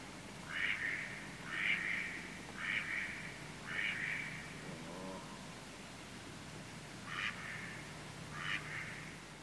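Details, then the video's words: A male Mallard in flight gives four rasping, nasal calls about a second apart close by, then two fainter ones as he moves away, with a low murmur; Canada goose and coot also present. "Mallard. CU Flight Calls From Male, Becoming Distant."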